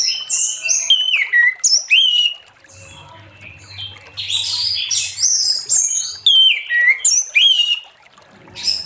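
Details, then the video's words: Late-afternoon 'ngeplong' song of an Orange-headed thrush, meant to coax other thrushes into singing: bright, high whistles sliding downward, delivered in quick bursts with brief pauses, with thinner chattering notes between phrases. "Anis Merah Ngeplong Sore Hari💥Pancing Anis Merah lain Cepat Bunyi"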